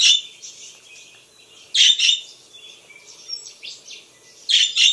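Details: Pet budgerigars, described as a baby, calling in bursts of high, harsh chirps separated by quieter scratchy twittering, three loud bursts across five seconds.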